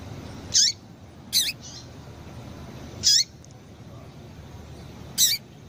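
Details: Female Double-collared seedeater call, used to stimulate males to sing: short, high, sharply dropping chip calls, four in about six seconds, spaced irregularly, over a quiet background hiss.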